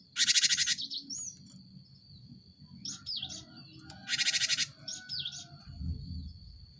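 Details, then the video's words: Cinereous tit, a lure recording for encouraging caged birds to sing: two loud rasping buzzy bursts about four seconds apart, with sliding whistled notes and short twittering phrases between, over a low rumble. "Pancingan gelatik batu untuk merangsang burung ombyokan cepat bunyi"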